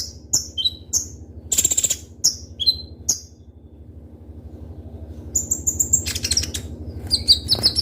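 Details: Caged kolibri ninja (Van Hasselt's sunbird), a sought-after lure bird, utters piercing high downslurred chips and a short buzzy trill, pauses for about two seconds, then gives a rapid series of high ringing ticks.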